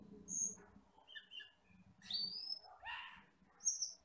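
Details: Wild forest Asian glossy starling, deep black with red eyes: isolated high whistles and a drawn-out rising whistle, then a loud downward slurred note, with low background hum.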